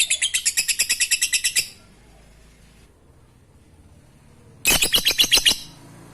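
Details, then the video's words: Lovebird ngekek chatter for luring reluctant lovebirds to sing: a quick burst of piercing, rasping chirps lasting under two seconds, a three-second pause, then a second rapid burst of the same shrill notes. "Lovebird ngekek Receh Mantap Untuk Pancingan Lovebird malas bunyi"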